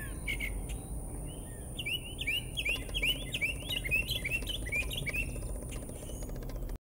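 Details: Northern mockingbird singing in Americus, Georgia, delivering rapid strings of sharp, slurred chirps repeated in quick series, pausing briefly then resuming, over a constant low rumble and a thin high steady tone.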